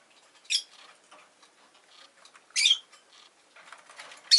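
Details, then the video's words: Rosy-faced lovebird giving sharp, high chirps about two seconds apart amid faint scratchy background sounds. "Lovebird Chirping Sounds"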